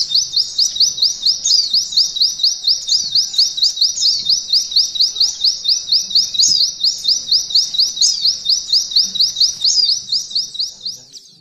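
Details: White-eye (pleci) singing canary-style 'nembak ngalun' material, used as a training recording for canaries: a long, steady train of high, thin upslurred whistled notes, rapidly repeated at an even rhythm. Faint fainter chirps overlap, and there is low background hum.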